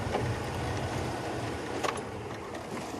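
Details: Broad rushing noise from a moving vehicle or boat, with a few sharp knocks and rattles.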